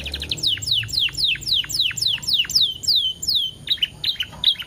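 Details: Canary song used as a lure for other canaries: loud sweeping downslurred whistles repeated about four a second, closing with a few sharp chips.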